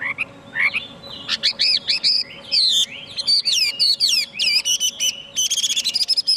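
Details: Chinese hwamei in a jumbled outpouring of sharp, buzzy, rapidly modulated whistles and chattering notes, quiet at first and building into dense high phrases.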